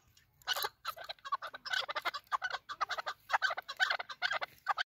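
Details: Chukar partridge from a local hunting bird, heard as a quieter, rougher run of rapid clucking notes against a faint low hum, with a harsher, noisier edge.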